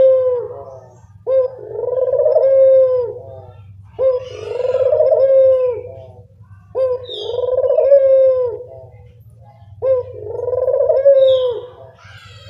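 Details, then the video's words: Barbary dove call used as a lure to attract birds: five drawn-out, throaty coos repeating roughly every two and a half seconds over a constant low hum. "Pancingan burung puter"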